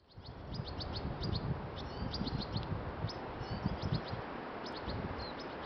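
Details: A female and a male European goldfinch cheep back and forth at Wellington Botanical Gardens, New Zealand, on 11 January 2020: short, high, thin cheeps in loose irregular bursts, half-buried under a steady low rumble.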